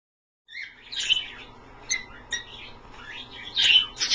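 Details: Pet Australian parrots bathing indoors in a shallow pie dish of slightly cool water, giving bright, high chirps and short squeaky notes in irregular bursts, a louder cluster near the end.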